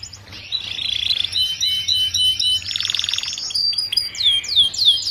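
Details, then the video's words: Canary song for teaching young birds to sing: high rapid trills alternating with buzzy rolls, then a run of sharp descending whistled sweeps at the end. "Kicauan Kenari Paud Untuk Pemasteran Kenari Muda Ombyokan Agar Cepat Bunyi!"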